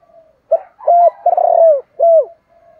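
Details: One complete coo phrase from a spotted dove used as a lure and trainer for other doves: a short hoot, a level coo, a long burry coo sliding down, then a closing downslurred coo.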